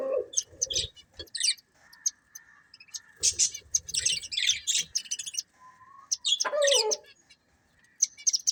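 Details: Budgerigar pair chirping in bursts of high, rasping, warbled notes, with a quiet pause near the middle and a short, sliding squawk toward the end.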